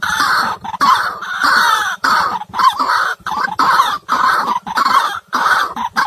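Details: White-breasted waterhen call played back to lure birds into traps: loud harsh croaking and clucking phrases in bursts of about a second, separated by short gaps, repeated steadily.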